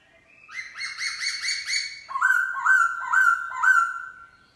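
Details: Wild-caught black-throated laughingthrush kept as a cage bird, giving morning forest-voice song: a run of rich, slightly harsh rising chirps, then a faster series of five clear whistled notes in steady rhythm.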